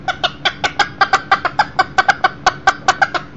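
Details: One-year-old Millefleur d'Uccle roo brought indoors for a visit, hens and chicks in the house; steady clucks repeat about five times a second without a break.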